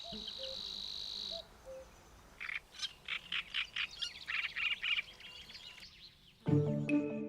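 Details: Savi's warbler reeling in dense reedbeds at Lake Neusiedl, Austria, as a migrant from Africa: a steady, high, insect-like buzz for over a second, then scratchy pulses, with another bird responding from a distance and music entering at the end.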